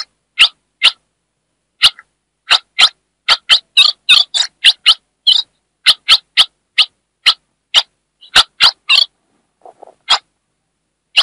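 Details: Female ultramarine grosbeak from northeast Brazil, chattering to stimulate a male: sharp rasping chips in irregular pairs and short clusters, with one denser buzzy burst and a faint soft note near the end.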